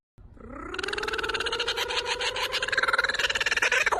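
A kookaburra's laugh starts with a rising note, then breaks into rapid, harsh chuckling notes, about four a second, that grow louder toward the end.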